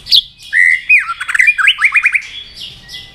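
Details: Fired-up white-rumped shama in fight-singing mode: a bright high note, then a rich run of slurred whistles breaking into quick hooked notes repeated rapidly, fading into softer high twitters.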